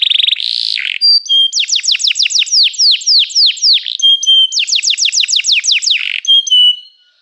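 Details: Canary song: a harsh buzzy opening, then two long runs of loud sweeping down-slurred notes repeated rapidly, separated by short whistles, with a fading whistle at the end.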